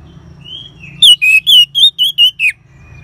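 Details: Bright repeated whistles of an orange-headed thrush in ngeban style, meant to trigger singing in caged birds: a soft drawn note, then seven strong clipped whistles about every quarter second, the final one sliding downward.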